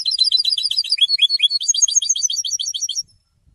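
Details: Goldfinch singing to announce its presence and attract females: a dense, rapid stream of bright, high twitters and buzzy trilled notes for three seconds, then silence.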